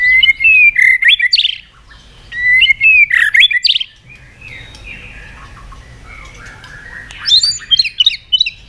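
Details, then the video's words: Lure recording of a white-rumped shama meant to trigger silent birds into song: loud, rich bursts of sharp whistles and sweeping high notes, separated by a quieter stretch of distant chatter. "pancingan burung murai batu nyaut"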